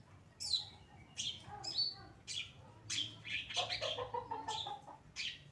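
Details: A singing Pastol-type long-tailed shrike on a training recording for other birds, giving a varied run of sharp chirps, falling whistled notes and scratchy harsh bursts, some grouped in quick rattling clusters near the end.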